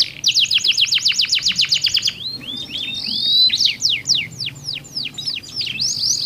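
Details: Two canaries sing back and forth with different voice tones, meant to prompt other canaries to sing; rapid descending trills repeated about four per second, then slurred rising whistles and sweeping notes, all high-pitched.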